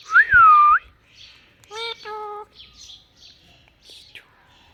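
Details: A pair of pet talking parrots: a loud, clear, rising-and-falling whistle, then a short, nasal, harmonic voice-like call and softer scratchy chirps trailing off, all in a quiet room.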